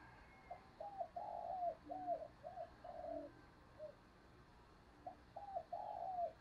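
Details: Decoy spotted dove cooing to attract wild doves, heard faintly through steady hiss; a run of soft, hollow coo notes, some rising then falling, pauses briefly and resumes.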